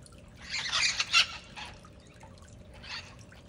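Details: Wild mitred parakeets from a group of ten feeding at breakfast time in Redondo Beach, California, give harsh, raspy screeches in a quick overlapping burst, followed by one more squawk a couple of seconds later.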